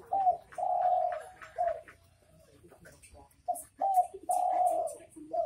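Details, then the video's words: 'Bekur bekur' call of the derkuku, the spotted dove. Two phrases of low mellow coos, each made of short notes around one long sustained coo, separated by a quieter stretch. "Suara Burung Derkuku Bekur Bekur"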